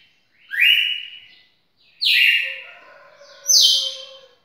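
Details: Red-cowled cardinal in a long singing bout of nearly two minutes, singing three loud, clear, slightly buzzy notes, each held about a second and spaced about a second and a half apart, with no other sounds.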